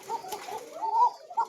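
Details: Koka pigeon, a thin-voiced farm-bred bird in a breeding pair: a short run of soft cooing phrases, with one brighter drawn-out note near the middle and another at the end.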